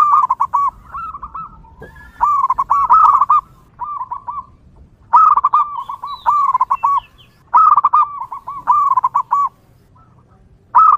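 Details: Wild zebra dove singing, used as a lure for other zebra doves: soft cooing phrases of rapid rolling notes near one pitch, each burst about a second long, repeated every one to two seconds with brief pauses; faint background hiss.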